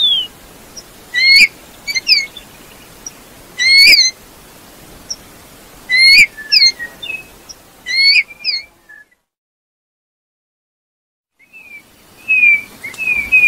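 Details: Eurasian bullfinch singing repeated rising piping whistles in clusters every two seconds, then a brief pause and softer downslurred notes, with background hiss.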